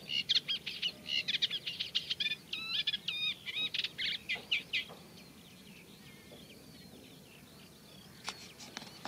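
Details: Eurasian Reed Warbler singing in a reed bed, a slow, scratchy song mixed with mimicry of other birds' songs and calls. Rapid chattering, grating notes run for about five seconds, then fade into faint, sparse, high ticks.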